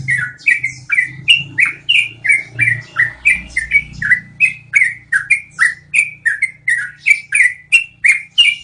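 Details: Yellow-vented bulbul delivering its long rolling song, known as ngeroll panjang, used to train cage birds; around twenty-five bright, falling whistled notes repeat rhythmically, roughly three a second, over a low steady hum and faint rumble.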